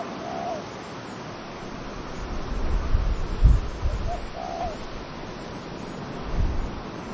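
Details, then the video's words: Dove cooing with wind in trees: a few soft, arched coo notes spaced seconds apart, set against gusty low wind rumble that swells and fades. "Dove cooing wind in trees"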